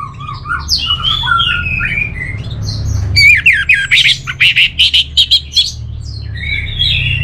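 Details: Orange-headed thrush singing. Varied warbled phrases lead into a long, rhythmic run of about ten loud, harsh, chopped notes, followed by softer twittering.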